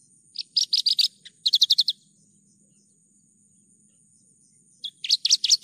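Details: Javan bush lark, a clear lure and training recording of an actively singing bird: bursts of rapid, sharp high chirps in quick repeated series, a long silent gap, then another burst, over a steady faint high electronic tone.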